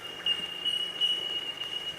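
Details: Bell Miners in forest above a creek near Browns Falls ring out a steady chorus of high, bell-like tinks that blend into one continuous pure tone, with a hiker's faint footsteps in the background.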